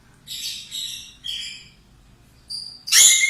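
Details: Energetic budgerigar song recorded for cockatiel training: three separate dry, high, buzzy chirps, a thin steady whistle, then an abrupt loud shrill screech at the end.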